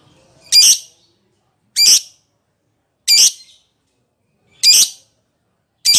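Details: Lovebird calling to its companion: loud, harsh, high squawks repeated about every 1.2 seconds, each a short shrill burst, five in a row over a quiet background.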